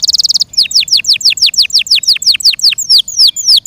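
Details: Yorkshire canary, a kept cage bird, singing a loud song: a fast buzzy trill, then a run of about fifteen rapid downslurred whistled notes repeated several times per second.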